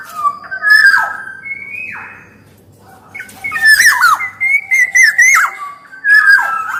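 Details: Black-naped oriole in energetic song: clear whistled glides, then a dense stretch of rasping squawks mixed with looping warbles, and a final fluty phrase.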